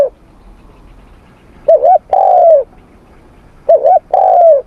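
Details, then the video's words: Spotted dove during morning voice training in Vietnam, giving two mid-pitched cooing phrases. Each phrase is a short double note followed by a long, slightly wavering coo that falls at the end. Quiet pauses separate the phrases. "Tiếng Chim Cu Gáy// luyện giọng cu gáy buổi sáng cực đỉnh."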